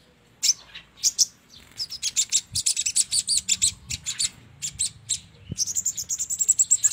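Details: Crimson sunbird chirping used to lure birds into traps: a continuous stream of rapid, high, sharp notes in quick pulses, ending in a fast trill-like run, with faint low background noise.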